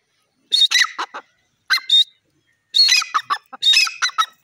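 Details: Grey francolin, a jungle bird, calling with loud harsh grating notes in two bursts of rapid repeated phrases, each separated by about a second of silence.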